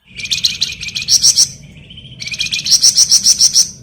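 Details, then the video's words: Flamboyan bird singing gacor for masteran use: loud high chattering trills with whistled overtones, a brief thin tone bridging two long pulsed runs, over low background rumble. "Burung Flamboyan Gacor Ngebren mantap buat Masteran"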